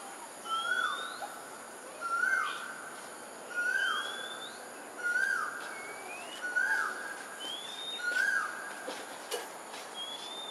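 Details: A pair of pink-necked green pigeons foraging in Singapore at 5.18pm on 4 December 2022, giving short, mellow whistled notes that bend downward about every one and a half seconds, with thin rising whistles from another bird above.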